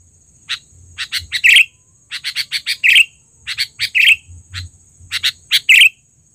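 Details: Sooty-headed bulbul (kutilang), a trained bird with a loud call, used as a lure sound: groups of short, sharp chirps followed by a brighter bubbly phrase, repeated about four times, over a faint steady high whine.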